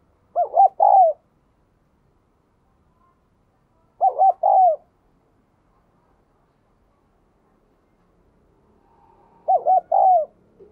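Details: Spotted dove, a diligent cooer with a 'đồng kim' voice, played to coax newly caught captive doves into cooing. Three identical phrases of two short hoots and a longer falling coo, spaced about four seconds apart, in quiet surroundings.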